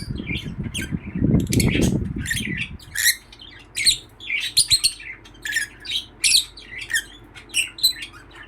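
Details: Happy lovebird chirping: after a few seconds of low rumbling noise, a lively run of quick, shrill, scratchy chirps and squeaks follows in uneven bursts.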